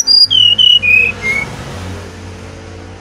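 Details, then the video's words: Brown-chested jungle flycatcher, Bali, whistling lure song: a series of pure whistles each lower than the last, fading away over steady low hum. "Burung Sikatan Rimba Dada Coklat Bali Gacor Nyuling Untuk Pancingan SRDC"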